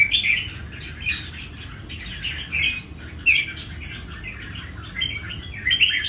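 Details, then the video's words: Three old wild-caught Red-whiskered Bulbuls in a singing duel; short bright warbled phrases come in bursts roughly every second, somewhat faint over low background rumble. "3 CHÀO MÀO BỔI GIÀ ĐẤU HÓT"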